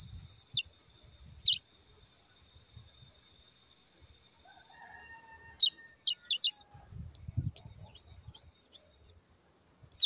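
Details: Brown towa towa recorded in Guyana in 2023; after a long stretch of constant high hiss, a run of clipped, downslurred high notes repeats about twice a second.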